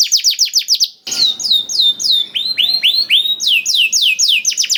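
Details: Canary song tutored with blackthroat phrases: a quick trill of falling notes, a brief gap, then a series of slower, loud, swooping whistles repeated roughly every third of a second over faint background hiss.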